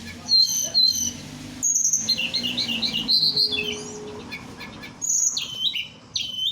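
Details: At night, a Merapi blue flycatcher (tledekan) sings a varied run of high whistles, quick warbled trills and downward-slurred notes in several bursts, over a faint low hum.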